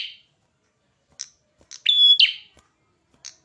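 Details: Red-headed prinia in lively song: one short phrase made of a flat clear whistle that runs into a buzzy, slurred tail, with a few faint chips before and after it, against a quiet background.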